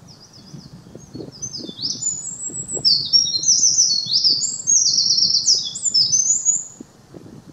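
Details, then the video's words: Eurasian wren song recorded on 10 May 2019, a long, energetic outpouring of very high, rapid trills and rattling sweeps lasting about six seconds, rising in loudness midway, over quiet low background rustle. "ミソサザイ misosazai"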